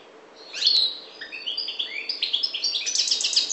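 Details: Goldfinch of the Maghreb subspecies parva starting a song: after a quiet opening, a bright note, then quick, climbing, tinkling twitters that grow denser and louder toward the end.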